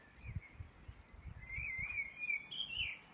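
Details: Early-morning bird song recorded in Edinburgh at 4am, 9 May 2014: a rising run of warbled notes building toward a high trill, over low intermittent thumping noise.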